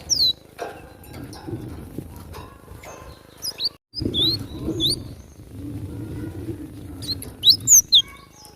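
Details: Wild Java sparrow during a fight: scattered high, thin chirps at the start and middle, then a tight burst of sharp slurred notes near the end over faint low rumble.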